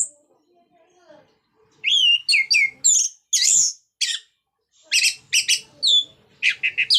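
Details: Energetic 'ngeplong' song of an orange-headed thrush, played to make quiet birds of its kind sing: rapid series of loud, clear whistled and slurred notes after a brief quiet start, delivered in quick bursts.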